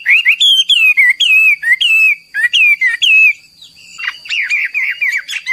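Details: Energetic hwamei training song, persistent and loud: a run of clear slurred whistles repeated about twice a second, a short pause, then rougher rapid notes, over a faint constant high tone.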